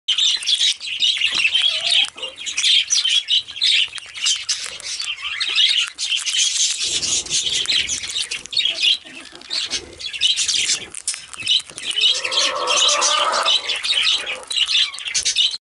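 A monk parakeet chatters steadily in harsh, high, scratchy notes while feeding.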